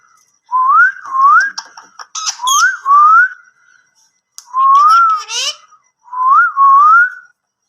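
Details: Indian ringneck parrot watching its own videos gives clear whistled phrases, each a wavering, rising tone repeated in short bursts with brief speech-like syllables between them, separated by pauses.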